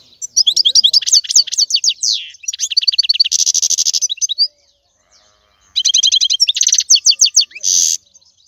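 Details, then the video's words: European goldfinch singing: rapid runs of bright, tinkling twittered notes broken by harsh buzzy bursts, two long phrases separated by a short pause. "لا يمكنك ان تسمع اقوى من غناء هذا الحسون"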